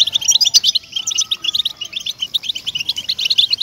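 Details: European goldfinch singing in a recording meant to stir captive goldfinches into song: quick, liquid twitters and sharp chirps in a lively jumble, plus a faint steady hum underneath.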